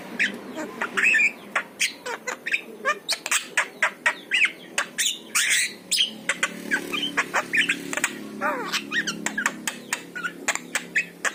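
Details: Long bout of song from a yellow-eyed Javan myna, played to coax pet mynas to sing: a dense, fast run of dry rasping and clicking notes, two to three a second, broken by brief whistled slurs, over a low hum.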